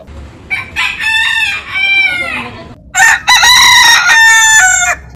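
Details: Rooster crow, then another bird's crow. The first is a wavering, bending crow with arched harmonics. After a brief gap comes a harsher, louder and brighter crow broken into pulsed segments.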